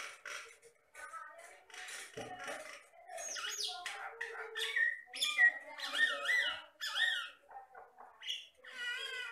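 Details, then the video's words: Energetic Jalak Batam myna song: a varied, rambling medley of clear whistles, wavering tones, clicks and buzzy notes, delivered almost continuously with brief gaps, some phrases sliding up and down. "MASTERAN BURUNG JALAK BATAM GACOR"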